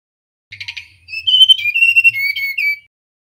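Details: A male mangrove blue flycatcher delivers a stuttering buzzy intro followed by a flowing line of clear whistles that drops gradually toward a lower final note. A faint low rumble sits beneath.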